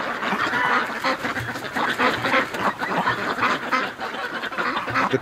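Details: A flock of domestic ducks on a December morning, after 8 a.m., excited about the nice weather, quacks loudly and continuously, harsh nasal calls overlapping several times a second in an irregular chorus.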